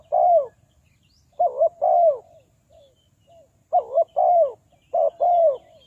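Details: Spotted dove calling as a decoy for trapping wild doves, Ninh Thuận, Vietnam. It gives four loud phrases of a quavering double coo plus a longer falling coo, with a pause and two soft short notes midway. Faint chirps sound in the distance.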